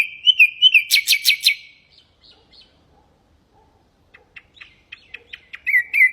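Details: Common nightingale singing, for tutoring goldfinches and canaries: a looping whistle gives way to rapid, sharp stacked clicks, then a pause, scattered soft chips, and a final run of fluttering whistled notes.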